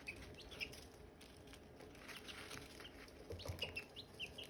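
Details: Silkie chicken chicks and hatching eggs: sparse short high peeps early, then a livelier cluster of chirps toward the end, with clicks and a soft thump among them.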